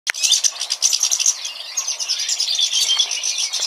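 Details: European goldfinch, a mutation bird from 2013, singing a continuous rapid twittering song of bright, tinkling and buzzy high notes without pause.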